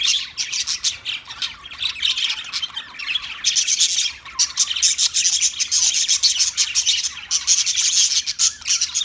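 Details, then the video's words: An Australian parrot, the budgerigar, in loud, nonstop chatter of harsh, hissy notes and quick chirps, briefly easing before resuming just as intensely. "Birds Singing Beautiful Budgie Sounds"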